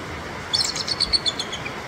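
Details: High, piping chirps strung into one quick stuttering series lasting about a second, from captive adult bald eagles in an outdoor habitat enclosure at the Alaska Raptor Center, with a constant hiss of the nearby rushing Indian River behind.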